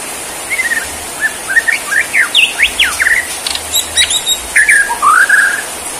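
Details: Borneo white-rumped shama in its bowing "sujud" performance pours out a fast run of sharp rising and falling whistles, brief high chatter, then a rising warbled flourish.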